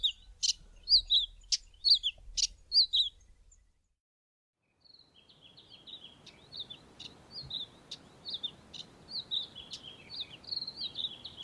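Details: Male Karoo scrub robin singing from the top of a bush in the early morning: quick, high, chirpy phrases, a short pause, then a busier run of scratchy notes; a low rumble early on, soft outdoor noise after.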